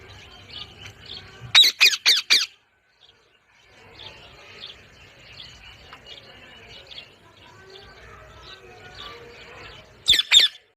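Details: Parrot calls as bursts of harsh, rasping squawks, a cluster of four early on and another short burst at the end, with soft chirping and twittering from other birds in between.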